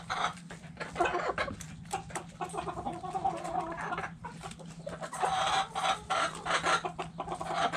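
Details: Hens in a backyard chicken coop, many birds clucking at once in dense, overlapping short calls over a constant low hum.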